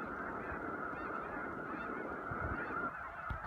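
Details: Snow geese on spring migration at Choteau, Montana, in March 2015; a dense flock's continuous clamor of overlapping nasal honks merges into a steady roar, with low rumbling background noise.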